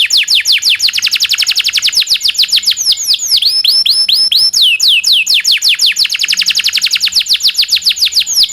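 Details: Rolling long song from a local canary, played as a tutor for other songbirds: densely packed, rapidly repeated high descending whistle notes with slight changes of pace, hardly pausing.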